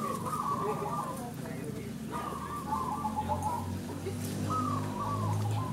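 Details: Local crossbred zebra doves (perkutut) at a singing contest: trilled, bubbling coo phrases that start high and step down, repeated about every two seconds, with a low hum and murmuring voices beneath.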